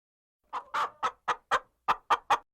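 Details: Hen clucking: eight short, throaty, mid-pitched clucks in an uneven series, the second one drawn out slightly longer, with no other sounds.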